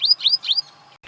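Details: An African Pied Wagtail, a slim black-and-white wagtail of Cameroon's waterways such as the Logone River and Waza National Park's pools, gives three quick, high, upward-swept chirps in about half a second, then falls quiet.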